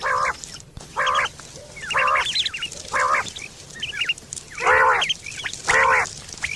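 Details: Quail recorded in September 2023 giving a call used for hunting and mating: a steady series of short, raspy, honking bursts roughly once a second, with quick rising chirps scattered between.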